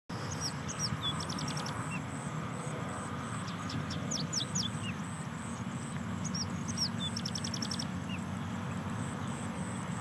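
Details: Horsfield's bushlark (Mirafra javanica philippinensis), Philippines, June 2022, gives high, thin notes and a quick stuttering trill, repeating the phrase twice, over a steady low rumble like distant traffic.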